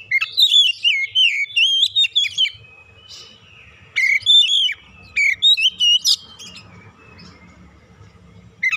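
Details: Oriental magpie-robin lure song for prompting birds to sing: dense whistled trills opening strongly, a quiet gap, then loud rising whistles and a sharp squeak, ending softly.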